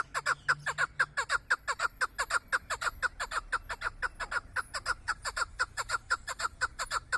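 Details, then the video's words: Hunting chukar partridge delivering a long, even run of throaty chuk-chuk notes, about two each second, strongly regular throughout, with a faint thin high whine in the background. "Кабки шикори"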